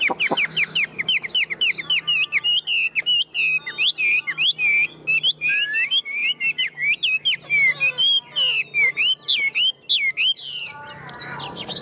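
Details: Caged tame Chinese hwamei, big-framed and a strong singer kept for fighting, delivers a sustained, fast stream of clear whistled notes, looping and sweeping phrases repeated many times over nearly twelve seconds.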